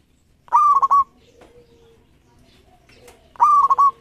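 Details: Local zebra dove, recorded as a lure tutor, gives two loud pulsed coo phrases three seconds apart, each a rising onset and quick stuttering trill, over soft low humming notes.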